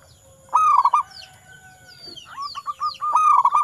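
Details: Local zebra dove song: fast stuttering coos, a looser run of rising notes with thin high chirps from other birds behind, then another rapid cooing burst.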